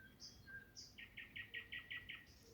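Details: Nightingales sing at a marshy, frog-filled back part of a lake in Germany, with a cuckoo distant: a steady whistle and thin high notes, then a fast run of seven hard notes at about five per second, ending high.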